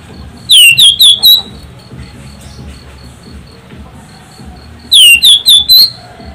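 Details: Loud Orange-headed thrush song played as a lure to get other birds singing: two bursts of four quick, shrill whistled notes, each dropping then levelling off, about four seconds apart, with faint background hum between.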